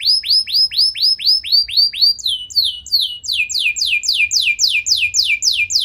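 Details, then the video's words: Lively canary song used to provoke other canaries into singing, with long rich phrases: a run of repeated upward-sweeping whistled notes, then faster buzzy downward-slurred trills, several notes per second, clear over quiet low background hum. "Kenari Gacor Nembak Panjang Cengkok Mewah! Bikin Emosi Kenari lain Naik Langsung Nyaut Ikut Gacor"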